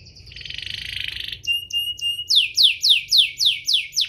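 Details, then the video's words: Domestic canary singing to provoke other canaries to sing: a dense buzzy trill, a string of short chips, then loud, slower descending whistled sweeps repeated about four times a second. "burung kenari ini pintar pancing emosi, Pancingan kenari biar gacor"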